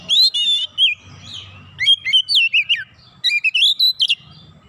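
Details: Oriental magpie-robin in busy lure song showing off its fill repertoire: a near-continuous stream of varied whistles, looping slurs and fast chirps, about four notes a second.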